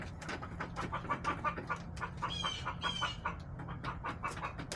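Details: Backyard hens filmed in late March: rapid, repeated short clucks in a steady stream, with a couple of brief higher chirps in the middle and a low background hum.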